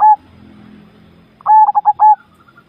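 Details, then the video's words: A Javanese zebra dove's song: a last mellow note fades, a short pause with faint low hum follows, then a full phrase of rapid stuttering coos closing on a longer held tone. "perkutut jawa bikin gacor"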